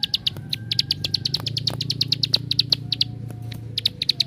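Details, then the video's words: Bar-winged prinia song played to provoke other prinias into singing: a steady string of short, sharp, high chipping notes repeated about six per second, over a low background hum. "Suara Tembakan Ampuh Untuk Pancingan Ciblek Sawah Anda"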